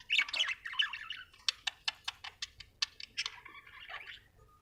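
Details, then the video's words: Budgerigar chirping in a quick run of sharp, clicky ticks, about five per second, framed by warbled, squeaky chatter at the start and a buzzy trill at the end; faint low background hum. "Australian beautiful birds sound 😍 budgie chirping sound 😍"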